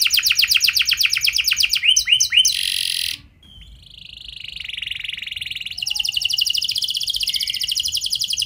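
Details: Canary lure song in a fancy, long-shooting style: rapid buzzy trill, a few swooping notes, a brief pause, then a soft drawn-out whistle building into a dense rolling trill.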